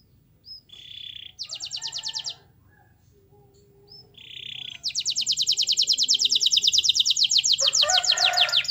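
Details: Canary song used as a lure to prompt silent or reluctant canaries to sing: a short buzzy note, then fast, even trills of rapidly repeated high notes in two long bursts, the second lasting about four seconds.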